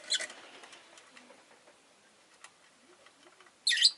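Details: Rosy-faced lovebird (Agapornis roseicollis) kept as a pet, giving two sharp, harsh, high-pitched chirps, one at the start and one at the end, with faint rustling and quiet background noise between them.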